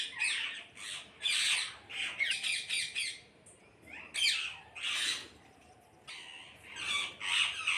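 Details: Parrots in a flock screeching together: bursts of harsh, grating squawks come in clusters, separated by short, quieter gaps, with several birds calling over one another.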